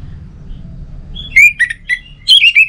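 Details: Orange-headed thrush song played to prompt kept birds to sing: after a quiet start, short clear whistles and slurred warbling notes come in quick succession, over a faint low background rumble.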